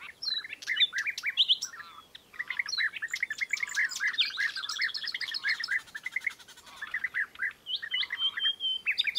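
European bee-eaters call together in a flock: a steady chatter of short, rolling, liquid 'prrup' notes, overlapping and repeated several times a second throughout.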